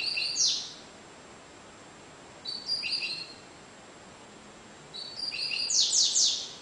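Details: Three high-pitched phrases from a double-collared seedeater singing Cigano style. Each combines flat tinny whistles, and the last ends in a string of fast, bright downward buzzes, with roughly two-second silences between phrases.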